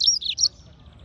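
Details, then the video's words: A captive yellow-fronted canary (Serinus mozambicus) gives a quick burst of three high, bright chirps, slurred and sweet, in half a second, then quiet. "Yellowfronted canary - Serinus Mozambicus - Beautiful Bird Chirping"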